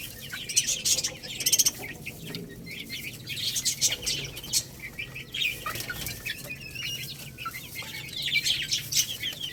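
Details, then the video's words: Growing Lohmann Brown rooster and baby hen chicks at a meal of rice; thin high cheeping, short descending notes in loose clusters, with clattering pecks and faint wing flutters throughout. "Chicks Chirping Sounds"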